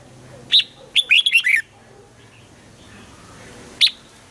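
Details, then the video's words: Red-whiskered bulbul singing in the morning as part of song training, aiming for a double-note song in the old wild style: a single sharp chirp, then a fast burst of four or five whistled, warbling notes, and another lone chirp near the end. "Luyện giọng cho chào mào hót sáng, ép chào mào hót âm kép già rừng hay tuyệt!"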